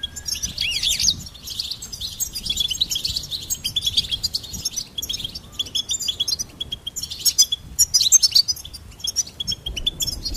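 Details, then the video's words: Goldfinch song as a lively, continuous jumble of high twitters, trills and sharp chirps, growing more intense toward the end. "Charming Goldfinch Peep"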